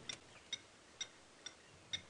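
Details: A Blacksmith Lapwing gives five sharp, metallic tink notes, evenly spaced about every half second, high and ringing over a faint hiss, on an early-morning game drive around 6:30 AM, 12 July 2016; the tinking is said to resemble a hammer on an anvil.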